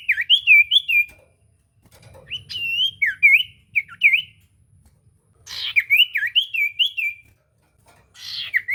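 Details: Common iora song played as a lure for a silent bird: repeated phrases of rapid, rolling whistles rising and dipping, separated by short pauses.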